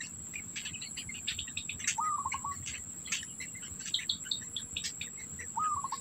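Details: Black bittern feeding its young, food held in the adult's mouth; two short trembling trills, about three and a half seconds apart, over a chatter of high chirps and a steady insect whine.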